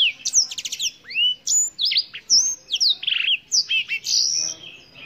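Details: Continuous song of a Black-throated canary, native to Africa: bright high chirps, sweeping slurred whistles and short rattling trills delivered without pause for about five seconds.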